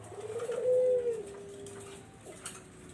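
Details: Single low coo from a Barbary dove used to lure zebra doves, swelling into a drawn-out rolling note that fades away after about a second, with a quiet hum behind it.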